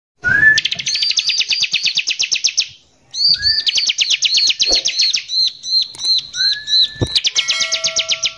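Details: Bar-winged prinia in lively, harsh 'nembak kasar' song, used as a lure to agitate other prinias: a rising slurred whistle, then dense bursts of fast, high, buzzy repeated notes, broken by a brief pause.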